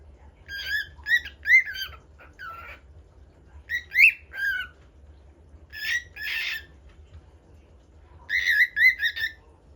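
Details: Common Bulbul (pepper bird) singing in a new spot, giving brief bursts of harsh, chattering notes in clusters of three or four, every two to three seconds, over a low steady rumble.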